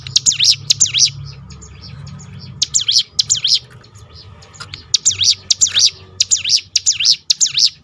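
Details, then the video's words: Hill prinia 'tembakan' roll used as a lure to make other birds sing. Loud, high, swooping notes come in clustered bursts with a quiet gap in the middle and a low hum beneath. "roll tembakan ciblek gunung memancing bunyi burung lain"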